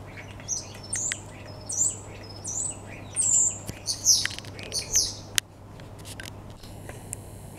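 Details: Common starling song from a back garden, 2 February 2015: repeated high whistled slides, then louder rasping, warbled phrases and sharp clicks, ending in quieter faint notes over a constant low hum.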